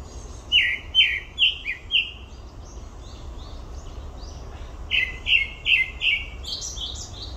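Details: At Olympic Park, a grey-backed thrush delivers four repeated downslurred whistles, goes quiet for about three seconds, then repeats a similar four-note series and ends in high, squeaky twittering over a soft background hum.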